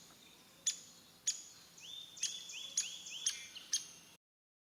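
Downy Woodpecker giving sharp, high pik notes about every half second, mixed with a few short descending whinny-like trills; faint background hiss.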